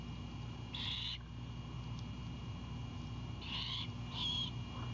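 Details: Wild great horned owlet at a nest in Savannah on the night of 7 April 2022, around 22:21, chipping with wing flaps to greet its mother returning with an anhinga: three short raspy bursts over a steady low hum.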